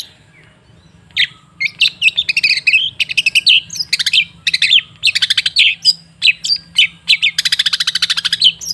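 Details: Long-tailed shrike song from a lure recording meant to make a cendet sing more: after a quiet second, dense buzzy chatter and rapid rattling trills run almost without pause, ending in a fast churring burst.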